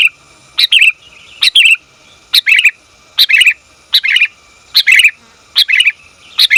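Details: Sooty-headed bulbul female calling the male, a recording used for training and luring bulbuls: about eight regular two-part calls, a sharp high note then a burbling chirp, repeated every 0.8 seconds.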